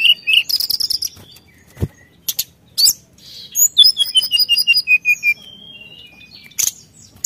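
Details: Brown-chested jungle flycatcher singing vigorously to provoke rivals; rapid warbled phrases, scattered sharp notes, then a descending string of about a dozen quick whistled notes, ending with isolated high calls.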